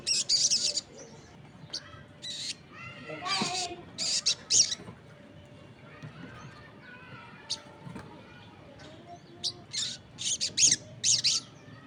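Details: Crested jay calling vigorously as other birds join in: short harsh, noisy high bursts repeated in clusters, separated by softer thin whistles and chirps from other birds.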